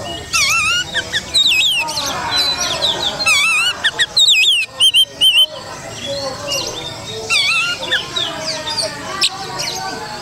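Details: Oriental magpie-robin lure song: rich varied whistles, rapid looping and trilled phrases and sharp bursts, delivered in dense irregular runs with short pauses, over steady background noise.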